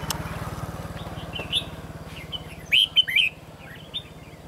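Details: Red-whiskered bulbul during trapping, 23 October 2016: scattered soft chirps, then a loud burst of three quick whistled notes near the end, over a throbbing low hum.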